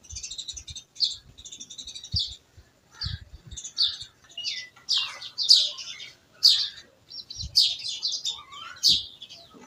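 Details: Village birds chirping: bright, rapid chirps and short twittering bursts in the upper range, repeated every second or so, with several birds overlapping and soft low thumps beneath.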